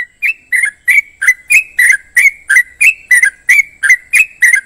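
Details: Yellow-vented Bulbul (trucukan) repeating bright, bubbly notes in an even train, roughly three per second, about fourteen in all, each with a quick slur up or down.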